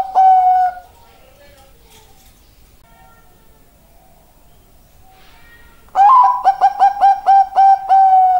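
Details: Perkutut bangkok, a zebra dove, singing: one drawn-out coo, several seconds of near quiet, then a fresh burst of about eight clipped, mellow coos, evenly spaced and steady in pitch.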